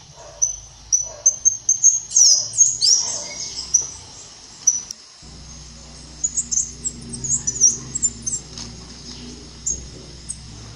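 Black-chinned mountain tanager giving a rapid series of thin, high twittering and chipping notes in two bursts, with a low hum underneath.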